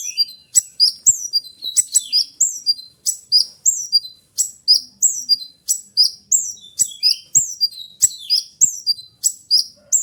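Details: Oriental magpie-robin (konin) in full loud song: rapid repeated phrases of high, sharply falling whistles and chirps, about three each second, fast and unbroken, meant as a master song for other konin.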